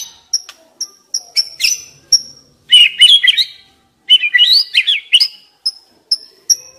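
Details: White-rumped shama song as a lure for young wild birds: sparse thin high whistles between two loud bursts of rich, rapidly varied warbling notes.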